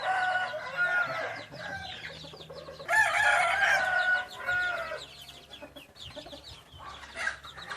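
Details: Hybrid red junglefowl rooster crowing: two harsh, drawn-out crows with layered bands, the louder near the middle, over a constant bed of faint chirps and clucks and a low hum.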